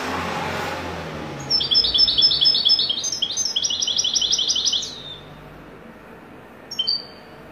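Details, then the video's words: European goldfinch delivering widani-style song: after a quiet start, three seconds of quick chattering, ringing notes in a dense rolling trill, a pause, then a short pair of sharp high notes. "تغريد حسون ويداني"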